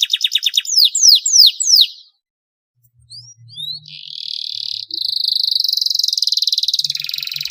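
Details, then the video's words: Canary singing in a long, rich song used to stimulate reluctant canaries to sing: quick repeated notes, then sweeping whistled slides, a brief pause, and long buzzy rolling trills held for several seconds. "kenari gacor panjang mewah buat pancingan kenari males bunyi"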